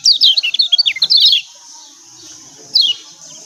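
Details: Kecial kuning of Lombok giving a lure call meant to provoke quiet birds into singing: a fast string of high chirps for over a second, then silence and one short descending note.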